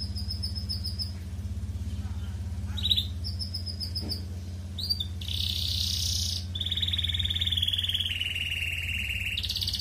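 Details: Red canary singing in the 'gacor ngerek' style to arouse breeding urge in colony birds: scattered chirps, then sustained high rattling trills and long buzzy rolls over a steady low mechanical hum.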